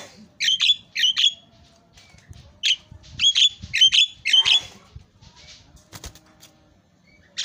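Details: Javan myna, singing actively, gives isian (filler) song as paired and single shrill, harsh chattering squawks in short clusters, then quieter scattered notes and a click.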